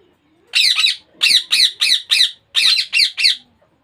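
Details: Baby Indian ringneck parakeet calling in loud, scratchy squawks grouped in runs of two to four, nine calls within three seconds, indoors with little other sound.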